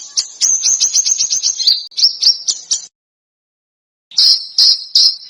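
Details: Contest-bird masteran in a dense, harsh screeching style with sharp bursts. A fast, shrill, high trill breaks into separate piercing notes. After a silent pause, three loud, sharp notes follow.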